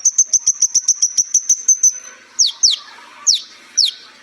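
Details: Sunbird (kolibri ninja) master song: a fast, even string of piercing high notes lasting two seconds, then four loud, well-spaced downward-slurred whistles.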